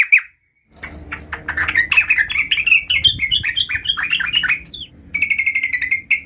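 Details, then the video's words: Sooty-headed bulbul (trucukan) learning to roll its song: a lively, chattering sequence of varied slurred notes climbing and falling, closed by a steady buzzy rolling trill. "suara trucukan gacor belajar Ngerol"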